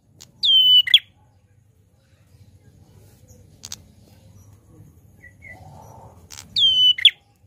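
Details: Loud, lively song of a grey prinia: two loud phrases about six seconds apart, each a clear, ringing whistle that slides down and levels off, ending in a short buzzy burst; faint low rumble and soft background noise between phrases.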